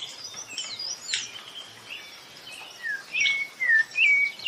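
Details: Rufous-bellied thrush singing a lot, a bird described as very common in the Northeast region. Clear whistled phrases, sliding and slightly descending, come in a quick run near the end. Higher chirps from other birds sound throughout.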